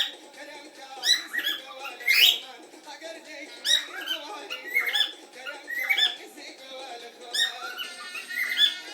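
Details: A cockatiel in Kurdistan gives bright, squeaky chirps and short whistled notes in irregular bursts.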